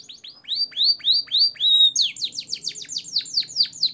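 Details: Caged canary training song in fancy blackthroat and sanger style: five slow, clear down-slurred whistles, then a quick run of repeated sweeping notes over a faint low hum.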